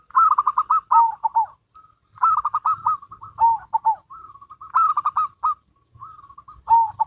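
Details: Local zebra dove and crossbred zebra dove singing in duet, loud bubbling phrases of quick repeated coos that step down in pitch, answered by softer trailing notes, cycling roughly every two and a half seconds.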